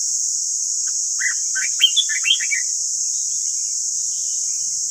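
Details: Red-whiskered bulbul training song: a brief, fast phrase of warbled, partly rising and falling chirps lasting about a second and a half, surrounded by quiet steady hiss.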